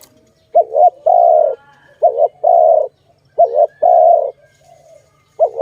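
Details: Dove cooing, tied to bird trapping: a short quavering coo followed by a sustained coo, repeated three times in a calm, even rhythm.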